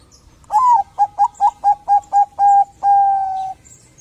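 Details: Active Bangkok zebra dove singing to encourage other doves to sing: a falling first coo, six short evenly spaced coos, then two long level notes closing the phrase, clear over faint background.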